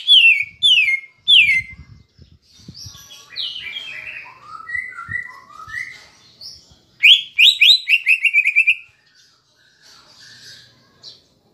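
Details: Caged cucak ijo (Greater Green Leafbird) in kapas tembak-filled song used to stir emotion: three loud falling whistles, a run of warbled sliding notes, then a fast ringing chatter burst and soft trailing notes, with faint low knocks.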